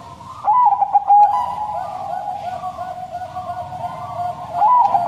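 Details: Zebra dove of the Bangkok crossing type, kept caged, delivering a long sad-sounding coo: bright opening accent, rippling notes in the first second, a long steady mellow tone, and another bright phrase just before the end.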